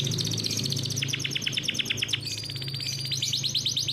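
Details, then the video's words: Farm-bred caged canary singing a fast, close-set rolling song meant as a tutor for young birds. Quick trills shift into a run of sharp downward-swept notes, then back to high rattling rolls, over a low hum. "KICAU BURUNG KENARI GACOR NGEROLL COCOK BUAT PANCINGAN KENARI PAUD"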